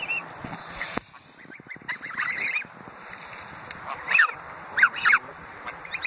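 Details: Greylag geese gathered beside the Thames Path at Iffley Lock, Oxford, England, give short nasal honks in scattered bursts, with a tight cluster of louder honks near the end, over steady riverside background noise.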